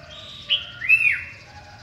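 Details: Sooty-headed bulbul singing in the morning: a short phrase of two clear whistled notes, the second louder, rising then falling, over a quiet background.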